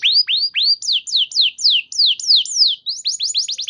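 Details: Canary song meant to trigger singing in other canaries: rising whistles followed by repeated downward-sweeping notes about every quarter second, ending in a quick high trill.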